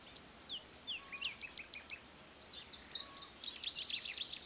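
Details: A Eurasian penduline tit at Idanha-a-Nova, finishing its nest, gives thin, very high chirps and downslurred notes, then quickens into a busy twittering run, with a faint low whistle twice behind it.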